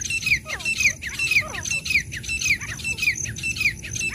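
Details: Black francolin pair, female and male, in energetic calling: dense, scratchy chirps with sliding downward inflections, repeated nearly twice a second, over a faint steady high tone.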